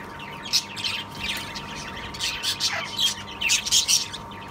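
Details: Breeding pair of 2-year-old rosellas in an aviary, a cock and a hen hoped to raise their first clutch, give harsh, high squawks and chatter in irregular bursts, with one falling whistle, over a mechanical hum.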